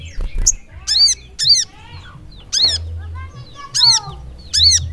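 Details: Sogok ontong, the crimson sunbird, singing in gacor ngleper fashion. A loud, shrill, arched note repeats roughly every second among fainter sliding squeaks, over a low hum.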